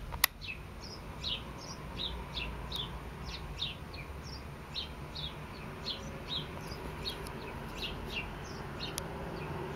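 A sparrow gives a run of short, bright chirps, about two each second, over a low background rumble and a steady high whine.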